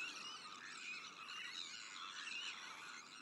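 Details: Harsh, overlapping cries from a breeding colony of Sandwich terns, with black-headed gulls, Arctic and common terns nearby. The chorus is steady and unbroken, with a few clearer rasping notes standing out.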